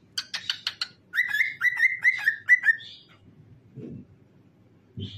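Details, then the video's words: Singing, dancing pet cockatiel indoors. A few quick harsh chirps lead into a series of clear whistled notes, each sliding slightly downward and repeated about twice a second, followed by a short high note and faint low thumps. "Famous Cockatiel Singing and Dancing"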